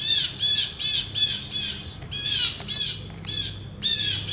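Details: Noisy blue jay vocalizing before taking a peanut: rapid harsh, arched squawks in three close series with short pauses, loud and near, with faint low hum behind.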